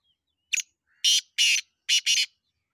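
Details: Black francolin in Punjab calling: a short sharp note, then two longer harsh grating notes, then a quick closing pair, all loud and rasping in a clean, quiet setting.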